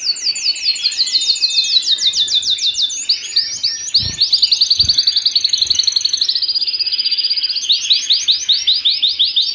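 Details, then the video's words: {'caption': 'Canary song at home built from fast, evenly pulsed rolling trills, high and bright, each roll lasting a second or two before shifting to a new pitch; a few soft low knocks sound midway.'} "canary singing at home"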